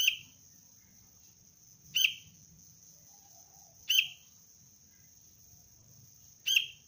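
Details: Young sooty-headed bulbul being trained as a lure bird for trapping; sharp, short chirps with a clicky onset, four of them spaced roughly two seconds apart, over a steady high-pitched whine and low background rumble.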